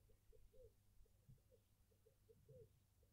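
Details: Burchell's coucal in a suburban garden in Pretoria, South Africa, giving a low, hollow, bubbling series of notes repeated at a steady pace of roughly three per second, over a faint low background hum.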